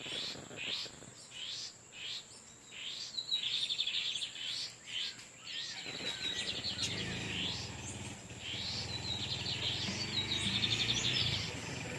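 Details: Wild male lined seedeaters of the Torniado style counter-singing near a female on her nest: a series of high chirps, then rapid trilled phrases over a rising low rumbling background noise.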